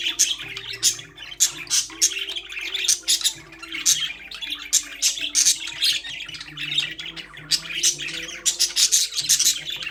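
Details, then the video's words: A group of caged budgies chatters with repeated sharp high chirps and short squawks, delivered in quick clusters with short gaps. Soft music plays in the background. "Budgies parrot #chirping sound"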